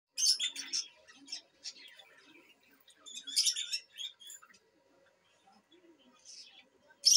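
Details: Lutino lovebird kept at a lovebird farm, chattering in bursts of high, squeaky chirps and scratchy twitters, with quiet pauses and soft low murmurs between the bursts.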